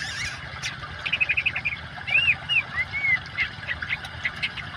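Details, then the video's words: Oriental magpie-robin in full song, mixed with water sounds and meant as therapy for birds that have stopped singing: short whistled notes and slurred, arching whistles in quick, irregular bursts over a steady watery hiss. "kacer gacor kombinasi suara air cocok buat terapi burung macet"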